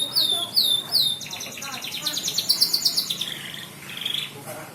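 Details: Canary song for training other birds: three loud swooping whistles, then a rapid rattling trill of quick repeated notes, then softer warbled phrases and a short buzzy roll, with faint background noise.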